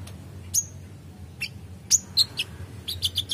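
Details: Kolibri ninja sunbird giving sparse, very high, piercing chirps, some with short thin trailing whistles, then a quick cluster of tight high notes at the end.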